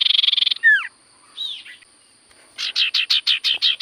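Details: Common Iora (sirtu cipoh) in lively song meant to set off quiet birds: a pulsing buzzy trill, two falling whistled slurs, a softer rising note, then a run of about eight rapid raspy pulses.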